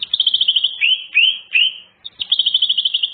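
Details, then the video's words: Greater green leafbird singing, played to lure other birds: fast rattling trills broken by three clear rising-falling whistles, then another quick trill. "Cucak ijo bongkar isian full materi , sangat ampuh pancingan burung bahan"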